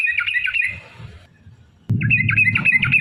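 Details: Sooty-headed bulbul in fighting-style song meant as a lure to provoke others: short bursts of harsh, bubbly warbling, a pause, then more chattering notes over a loud low rumble.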